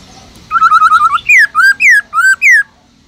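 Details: Captive Black-throated laughingthrush in 'forest voice' song, played to spur other kept laughingthrushes into singing: a quick run of six short repeated whistled notes, then five loud slurred whistles alternating downward and upward sweeps.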